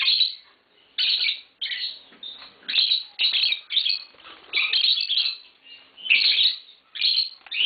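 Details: Tame green Fischer's lovebird pair in a steady chirping bout: sharp, high, squawky bursts repeated roughly every half second to a second, with short gaps between.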